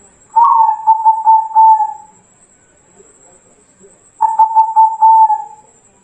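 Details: Zebra dove of local Bangkok type, a training recording meant to set other doves singing: a sharp rising start then a steady, quickly pulsed coo trill lasting nearly two seconds, repeated once after a short silence.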